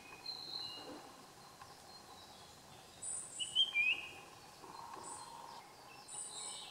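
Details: Japanese grosbeak (Eophona personata), recorded 30 June 2015, giving a brief burst of clear, fluty whistled notes that slide downward midway, over faint high chirps and a soft background hiss.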